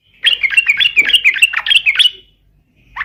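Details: Yellow-vented Bulbul in fighting song to lure rivals. A two-second stream of quick, bright chattering notes is followed by a pause and the onset of a new phrase.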